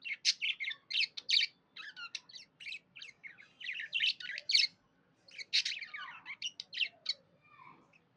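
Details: Budgie as a pet, chirping happily in rapid runs of harsh, squawky chirps and sharp tweets, grouped in bursts with short pauses between.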